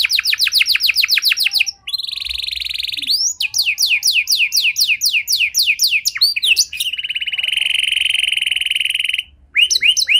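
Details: Canary singing at length with varied phrasing, meant to draw silent canaries into song: rapid repeated rising notes, a buzzy trill, descending sweeping whistles, then a long rolling trill and a brief pause.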